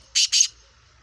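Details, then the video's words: Two rasping, buzzy bursts in quick succession from a Sindhi black francolin, or kala teetar, of Gangas Sheedi cross breeding with a nasal speeder-style voice, the pair over within half a second, then silence. "Speeder Kala Teetar Gangas Sheedi cross Nasal Black Franclion Voice Sindhi Teetar"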